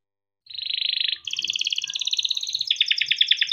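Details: Yellow canary, a caged male kept in Indonesia, sings a long rolled song for training young canaries: a dense buzzy trill, then rapid trills that step higher and then lower, with faint low background rumbles.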